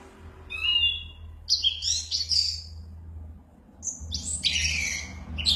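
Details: Orange-headed thrush chattering while said to be 'mabuk berat': a wavering whistle, then bursts of loud, varied, squeaky and buzzy phrases separated by short pauses over a faint low hum.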